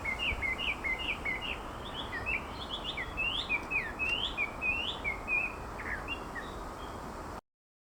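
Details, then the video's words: A hwamei sings a fast, rich run of varied, sweeping whistled notes, rising and falling without pause, over a steady hiss of background noise. "The Sound of Hwamei"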